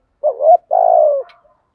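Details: Decoy spotted dove calling at morning to attract wild birds, "thúc gù" style: a brief rising, wavering coo, then a longer even, throaty coo that trails downward.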